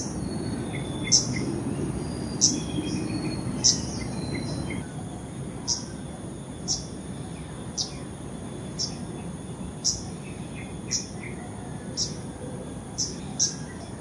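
An Arctic warbler gives short, sharp, high notes about once a second over a steady high hiss, with a low rumble in the first few seconds.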